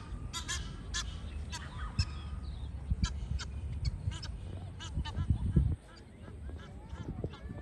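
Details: Mating-season wild geese honk loudly and irregularly for about six seconds, with strong low rumble underneath. The calls then drop away to quieter, scattered sounds.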